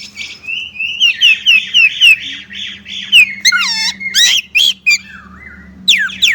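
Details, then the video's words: Chinese blackbird pouring out a string of slurred whistles repeated roughly every quarter second, then sharp squeaks, a descending wail and high flicked notes. A constant low hum is present. "烏鶇(黑鶇)的叫聲/Sound of Chinese Blackbird"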